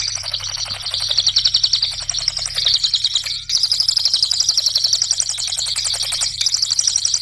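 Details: Cililin song played as a training lure for cage birds: a long, fast stream of high, sharp ticking notes repeated about four times a second, broken by short gaps.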